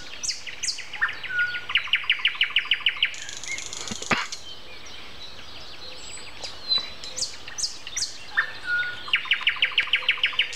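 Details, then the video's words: Common nightingale morning song, April 29 at 7:55, with other birds around: a rapid trill of repeated notes, a pause with a lower whistle, softer varied phrases, then another fast repeated-note series at the end. "Morning concert. Nightingale and Со."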